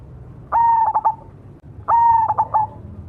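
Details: Zebra dove, cemani type, cooing two similar phrases a little over a second apart: a sustained mellow note ending in two or three quick, bouncing coos, over a low steady hum.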